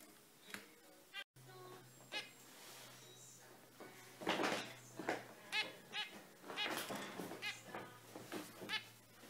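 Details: Bright, active zebra finches squeak in a rising flurry: sparse nasal beeps at first, then dense, overlapping honking calls over a low steady hum.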